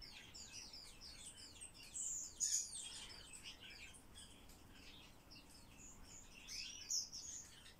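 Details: Soft, fairly faint chatter of squeaky, buzzy notes from a common starling during talk training, with two louder bursts of high chirping.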